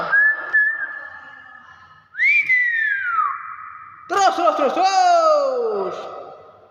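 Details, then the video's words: Talking hill myna indoors giving a level whistle, then a rising note that slides downward, then a harsh, rich, falling, voice-like phrase. People speak around it. "Burung Beo unik ngomong"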